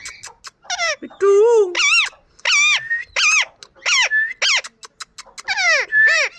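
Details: Squeaky, varied chatter from an Indian ringneck parakeet, with a low drawn-out note early on followed by rapid harsh rising-and-falling calls in close succession.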